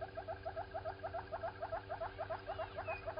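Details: Southern red-billed hornbill walking around at Gowrie dam waterhole, Djuma Game Reserve, Sabi Sand Wildtuin, South Africa, 07:53 on 16 September 2020: rapid clucking notes, about five per second, in a steady run over a constant low electrical hum.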